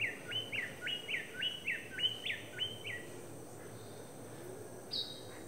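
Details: King bird-of-paradise: a faint run of about seven clear, descending whistled notes in quick, evenly spaced succession, followed by quiet, with one higher short note near the end over soft background hiss.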